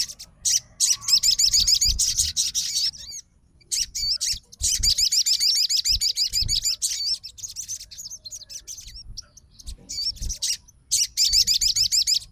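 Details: A fighter Crimson sunbird answers a rival's song with long runs of fast, high, rippling trills, pausing briefly between bursts, while soft low thumps sit underneath.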